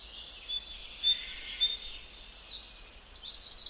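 Gouldian finch giving thin, high, sibilant chirps and short whistles, several a second and overlapping as if from more than one bird, over a soft background hiss.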